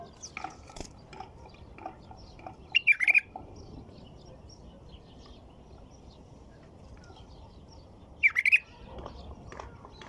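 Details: White-eared bulbul song phrases, two bubbling bursts of rapid warbled notes about five seconds apart, with clicks, faint chirps and general noise in between.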